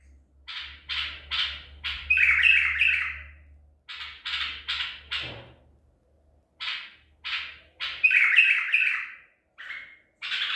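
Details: Caught at Medical City, a white-eared bulbul of the Baghdadi song type, 14 April 2021: clusters of short staccato notes followed by a louder slurred warble, repeated after gaps, with a faint low hum beneath.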